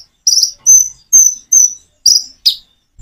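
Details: Common iora song paced with natural pauses to draw replies from birds that seldom sing: six high, slightly slurred whistled notes spaced about half a second apart, the last ones sharper and descending.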